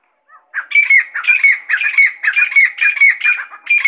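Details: Grey francolin, known as Irani teetar, calling loudly: a rapid run of harsh, squawky, rhythmic notes, about three per second, sustained without pause against a quiet background.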